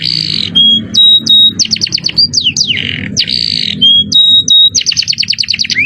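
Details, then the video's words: Canary in cengkok mewah style, jerih high-pitched voice, from a masteran tutor recording: harsh buzzy blocks, clear flat whistles and quick repeated chip trills, the pattern recurring twice, with a low background hum. "Masteran kenary cengkok mewah suara jerih"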